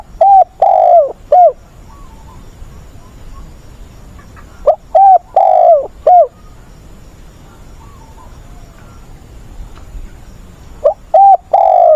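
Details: Decoy spotted dove, a trained caller used to teach newly caught wild doves to call, recorded 20 August. Three-part cooing phrases sound about every five seconds: a short lead note, a sustained mellow coo, then a clipped final note, with quiet gaps between.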